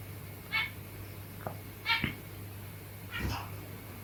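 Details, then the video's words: Zebra finches kept indoors, getting territorial before cuddling, give three short nasal harmonic calls spaced over about four seconds, each rising and falling, faint over a steady low hum. "Territorial Birb Today (Makes Cute Noises Near The End) Zebra Finches"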